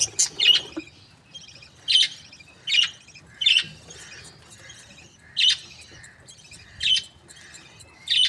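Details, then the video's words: Happy breeding-pair budgerigars give a steady series of loud, piercing chirps, single or doubled, spaced about one to one and a half seconds apart against a quiet background. "Happy budgie chirping sounds | breeding pairs"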